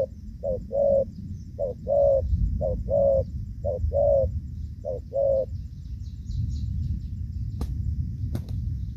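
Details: Spotted dove 'gù vấp' coos from a decoy bird during rainy-season trapping, 23 July 2024: paired short and longer hollow notes repeating for five seconds, then stopping, followed by rustling and two sharp clicks over low background rumble.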